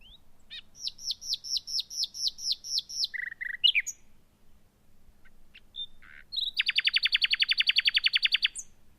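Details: Common nightingale (Luscinia megarhynchos) in spring, coppiced woodland or thick hedgerow in southern/eastern England; male singing to attract a female after arriving from Africa: eight quick high whistled notes, a varied flourish, then a fast rattling burst of about twenty loud repeated notes.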